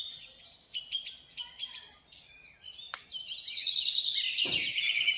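An Alexandrine parakeet gives a quick run of high, clipped chirps, then breaks into a long, loud, harsh screech. No other sounds stand out.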